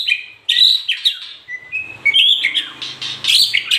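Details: White-rumped shama song of bright high whistles and fast warbled chatter, closely packed, with faint low background noise.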